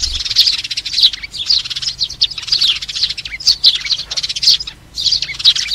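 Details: Sparrow calling its flock, recorded to lure birds for trapping: bright, scratchy chirp groups in bursts of under a second, separated by brief pauses, with faint low background rumble.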